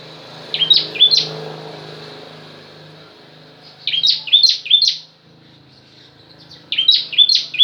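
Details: Ciblek, the bar-winged prinia, in its pranjak-variation song: three short bursts, each of three or four high, hooked chirps, separated by pauses of about two seconds, over a low background hum.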